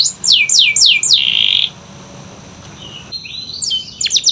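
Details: A canary, recorded to encourage silent canaries to sing, gives five quick downslurred whistles and a steady held note, then falls quiet before faint notes return and a few sharp high slurs close the clip.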